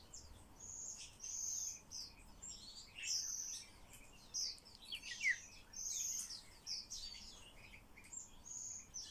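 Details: A common starling being taught to speak pours out continuous varied chatter: high clear whistled phrases, sharp chirps, buzzy rattles and sliding notes, repeated in uneven bursts without pause against faint background hiss.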